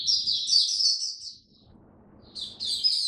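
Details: Oriental white-eye kept as a hobby bird, cold rainy weather: a dense rush of high, fast twittering notes, a short pause with low background noise, then the twittering resumes.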